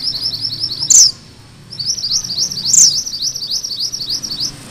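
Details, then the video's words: Sunda bush warbler, a lively singer whose rolling 'ngerol' song is used to tutor magpie robins: fast runs of short, high, upslurred notes, interrupted twice by a sharp, loud, descending chip. "Suara MANTENAN GUNUNG MERAH GACOR"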